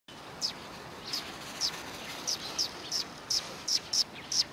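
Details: Several sparrows on the road in front of a Tenmangu shrine on 13 December 2019. Short, high chirps repeat about every half second, ten in all, over a soft steady background hiss.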